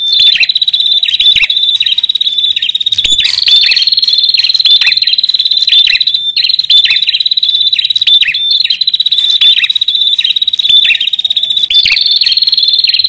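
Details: Bar-winged prinia pair, male and female, in a recording for luring wild birds: an unbroken high, rapid buzzing trill, with clusters of short downward chirps repeated every few seconds and brief louder bursts.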